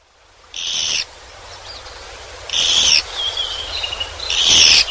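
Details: Japanese pygmy woodpecker recorded at Yeoncheon, South Korea, giving three harsh buzzy calls about two seconds apart, each roughly half a second long, with faint thin chirps between them.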